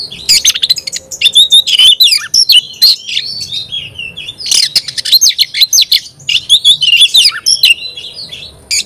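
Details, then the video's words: Oriental magpie-robin singing actively: rich, varied whistled phrases mixed with fast chattering notes and sharp rising and falling slurs, delivered in dense bursts with short pauses. "Kacer gacor bikin kacer ngobra KONSLET"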